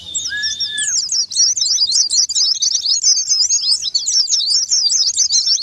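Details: Rapid high-pitched twittering white-eye song meant to coax a silent bird into singing, opening with a short flat whistle and a lower drawn tone, then running on as dense, energetic chatter.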